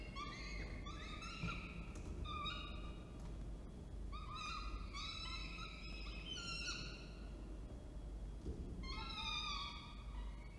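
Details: Falcons at Orange, New South Wales, recorded 19 October 2024 as the male delivers food and the female feeds; a series of drawn-out, harmonic, slightly rising wailing calls in bursts, with steady low background rumble.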